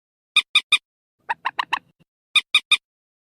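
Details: Purple swamphen squealing call, a lure recording for night netting over a loudspeaker: harsh, nasal, broadband notes in tight triplets, then a quicker burst of four lower, rougher notes, then another triplet.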